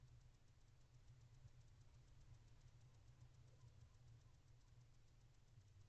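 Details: Quiet, constant low hum and faint hiss at night, with no animal calls heard.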